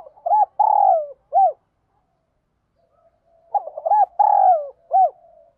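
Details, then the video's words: Spotted dove repeating its 'thúc' calling coo in 'giọng đồng' style, meant for training decoy birds. Two phrases about three seconds apart, each made of stuttered hoots, a long rough falling coo and a short final note. "cu gáy giọng đồng . thúc, tiếng gáy gọi"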